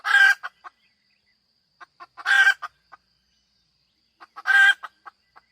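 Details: Hen cackle with three long, raucous squawks spaced about two seconds apart. Each is followed by a few short, soft clucks, and the background is otherwise quiet.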